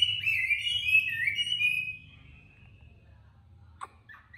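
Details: Tamed caged Chinese hwamei from Hanoi, Vietnam, in competitive singing: about two seconds of bright, warbling whistled song that fades into quiet, with a low background hum and a few faint clicks near the end.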